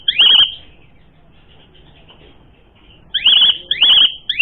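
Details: Asian pied starling song, used as a lure to provoke other birds into fighting: three loud wavering whistled notes, one near the start and two close together after a silent gap of almost three seconds, over faint background hiss.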